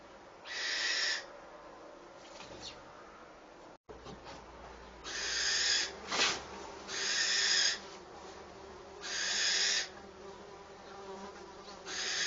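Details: At a nest in the entrance of a falconry mews, where the mother is feeding her chicks, a Eurasian wren gives harsh, hissing rasps under a second long every two to three seconds, over a faint background hum.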